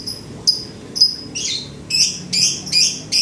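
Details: Male lovebird in strong breeding condition gives a ticking call likened to clacking lato-lato balls: sharp, high, dry bursts, two isolated clicks, then a quickening run of paired ticks about every 0.4 seconds.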